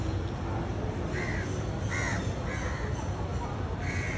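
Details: Crows perched on a tree give four harsh, drawn-out caws, spaced unevenly over about four seconds, above a steady low rumble of background noise.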